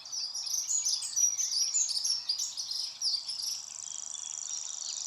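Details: A rare Grasshopper Warbler at Fish Lake Meadows under a gloomy sky: its high, even reel, a rapid insect-like ticking trill, takes over in the last two seconds after mixed chirping and twittering from other birds.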